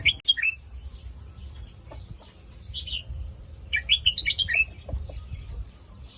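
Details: Red-whiskered bulbul giving Phetchaburi-style song: a short warbled phrase at the start, a lone chirp, then a fuller run of tumbling whistled notes, over steady low hum.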